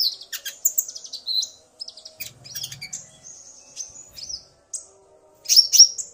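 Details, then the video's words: Common iora male and female calling back and forth, the male roused by the female's voice; scattered sharp high chirps and thin whistles with gaps, a short low hum midway and a louder chirpy burst at the end. "Burung Konin Pancingan EMOSI agar burung bahan gacor"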